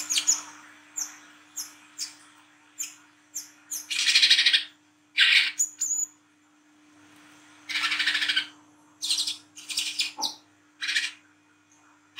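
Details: Olive-backed sunbird at night, used as a lure for young birds: a long series of high, thin whistled notes and short squeaky chips, broken by dense buzzy rattles, with faint steady hum underneath.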